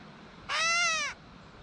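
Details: Gray catbird uttering one clear, cat-like mewing note, harsh and nasal, held about half a second before dropping off.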